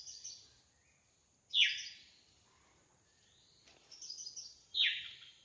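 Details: Actively singing wild drongo: two loud, sharp downslurred whistles about three seconds apart, separated by softer high chattering and twittering notes.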